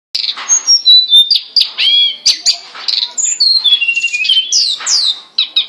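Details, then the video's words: Hill blue flycatcher song used as a training recording for captive songbirds: loud, rapid, varied phrases of clear whistled notes, slurred rising and falling sweeps and short chirps, packed closely together with barely a pause. "MASTERAN BURUNG TLEDEKAN/SULINGAN GUNUNG GACOR"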